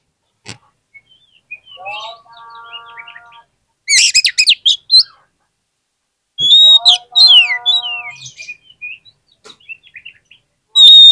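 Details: Oriental magpie-robin song used as a lure for reluctant singers: bright whistles and rapid trilled bursts alternate with lower, nasal harmonic notes that sound twice, with long quiet stretches between phrases.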